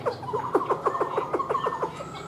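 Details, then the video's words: Rapid, rhythmic notes, roughly five per second, paired with bright whistled tones, from a captive black-throated laughingthrush singing and dancing with its tail spread like a fan. "KHƯỚU BẠC MÁ HÓT MÚA ĐỈNH CAO - ĐUÔI XÒE NHƯ CÁI QUẠT"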